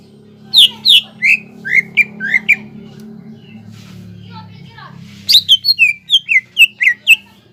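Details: Greater green leafbird (cucak ijo) in gacor song used as a lure to rouse untrained young leafbirds into singing. Loud, sharp down-slurred whistles come in a quick burst, then a short pause, then a second series of about nine notes over a low steady hum.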